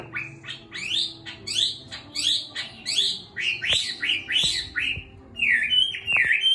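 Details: Six-month caged Chinese hwamei coming back into song after molting pours out a rhythmic series of loud rising-and-falling whistles, about one or two per second, ending with warbled phrases, alongside occasional clicks and faint hum.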